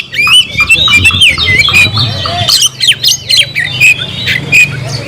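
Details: Loud, varied oriental magpie-robin song meant to summon a rival for a fight, mixing clear whistled slurs with scratchy, chattering notes in quick succession and a faint low droning hum beneath.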